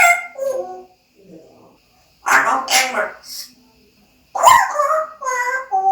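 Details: A parrot kept as a pet mimics speech: a sequence of harsh, breathy syllables followed by clear, tonal, harmonic-rich notes, most in short bursts, with quiet gaps between phrases indoors.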